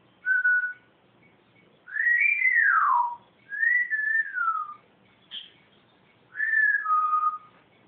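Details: Pet bird calling the cat: four clear whistled phrases spaced about one to two seconds apart. They include a level note, a long rising-then-falling slur and descending two-part whistles, plus one brief high chirp, in a quiet indoor setting.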